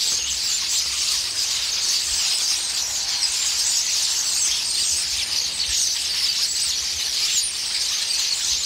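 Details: A noisy flock of common starlings quarrelling in a pear tree while feeding on the pears, returning many times a day: unbroken, hissing mass of high squealing and chattering calls from many birds at once, steady in loudness.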